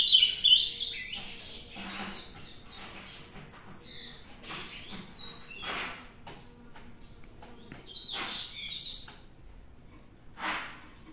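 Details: Ultramarine grosbeak from a song challenge, giving a loud whistled, sweeping note at the start. Scattered quicker chirps and slurred notes follow, fainter and irregular, with a brief louder burst near nine seconds. Soft background noise throughout.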